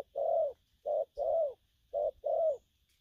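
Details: Spotted dove, a young bird, cooing in gù lăn săn style: full, slightly falling long coos alternating with shorter clipped ones, about five notes in three seconds, over a low hum.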